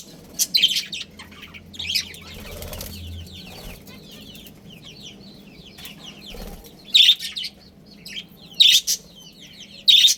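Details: Breeding pair of budgerigars, Australian parrots, kept as a family. Loud, sharp bursts of high chirps stand out at intervals, separated by quieter runs of rapid, twittering warbled chatter. A faint low hum runs underneath.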